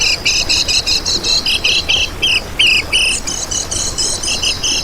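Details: Lively kecial kuning chatter used to lure other birds, with fast high buzzy chirps paired with lower clipped notes, broken by brief pauses.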